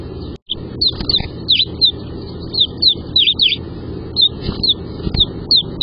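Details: Young house swallows nesting in a nest box on day 38, growing fast: a steady run of brief, high sharp chirps, often in quick pairs, against faint low background rumble.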